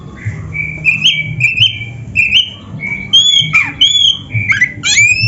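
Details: Oriental magpie-robin (kacer) song used as a master recording to train caged birds: loud clear whistled phrases around mid-high pitch, repeated short notes with upward flicks, then rich varied slurred whistles and fast descending sweeps.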